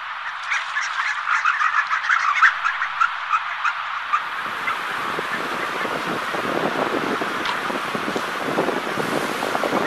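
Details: Harlequin ducks at sea on the East Sea coast give rapid, high squeaky notes, several overlapping, through the first four seconds before rushing surf-like water noise takes over.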